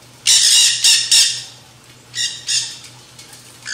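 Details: Nanday conures, black-hooded parakeets, in a feeding frenzy on seed mix at a backyard feeder: harsh, grating screeches in quick bursts, three loud ones early, then two more after a pause, over a steady low hum.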